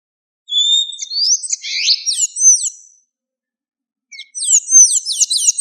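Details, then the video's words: In the wild, a Blue-grey tanager gives a high squeaky phrase of thin whistled slides and twitters, falls silent for about a second, then returns with a fast series of repeated arched squeaks. "SANHAÇO DA AMAZÔNIA CANTANDO MUITO - CANTO DO SANHAÇO DA AMAZÔNIA NA NATUREZA"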